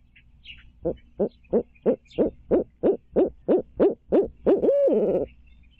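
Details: At its nest in Midtown Tulsa, 2019 stream cam, a barred owl delivers about twelve rhythmic hoots. They grow steadily louder and end in a prolonged, quavering hoo-aw. A few faint chirps come at the start.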